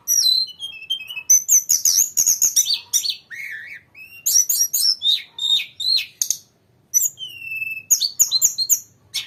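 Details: Long continuous rolling song of a grey-cheeked bulbul in full voice: rapid bursts of high, bright chirps and warbled phrases with some lower slurred whistles, separated by short gaps.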